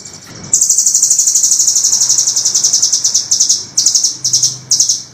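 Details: Velvet-fronted nuthatch in a master recording for training songbirds: a long, rapid, high-pitched trill of sharp repeated notes running over three seconds, then shorter bursts of the same harsh trilling.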